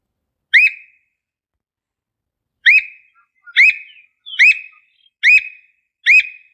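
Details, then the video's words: Squirrel cuckoo singing in the Brazilian sertão: sharp, rising whistled notes with a brief trailing tone, one isolated note then five more spaced under a second apart, clean quiet background. "Canto do Alma de Gato"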